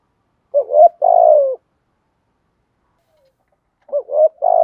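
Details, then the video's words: Cooing of male and female spotted doves meant to spur birds into song during training. Two identical phrases roughly three seconds apart, each a rising hiccup-like note and a steady, slowly falling coo, silence between. "Chim cu gáy kích bổi mới/ cu cườm gù thúc"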